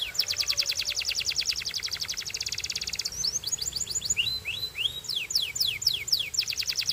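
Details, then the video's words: Belgian canary song opens with a rapid, even, rattling trill held for about three seconds. It switches to sweeping whistles and a series of descending slurred notes, with faint background hiss. "Belgian Canary Singing"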